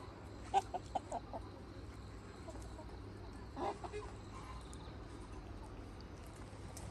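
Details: Free-range Red Mía rooster flock with hens on a farm: a quick series of short, loud clucks early on, then another cluster of clucks a few seconds later, over steady low rumbling background noise.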